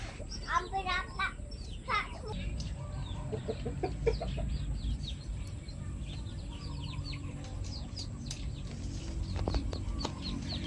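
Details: Pet chickens, old and new members of the flock, call together: fast trilled chirps at first, then scattered clucks and squeaks, with sharp knocks and rumbling background noise.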